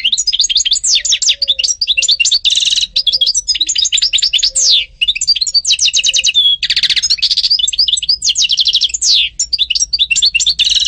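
A European goldfinch sings a fast, continuous, high tinkling song of liquid twitters, buzzy trills and rapid chattering phrases, with no pauses and little else heard.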